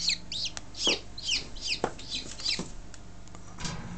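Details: Newly hatched Buff Orpington chicks, hatched on 2 March 2011, peeping: high, thin, rising-and-falling cheeps repeated in quick bursts, several voices overlapping, with knocks and bumps underneath.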